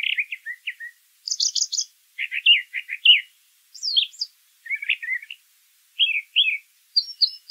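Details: Brown thrasher song, fast doubled and tripled chirping phrases alternating between mid-pitched buzzy notes and very high rapid trills, with short gaps between phrases.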